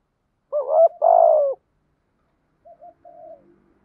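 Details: Spotted dove used as a decoy to lure wild doves. A loud, hollow double coo with a long, slightly falling second note, then a quieter echoing coo phrase.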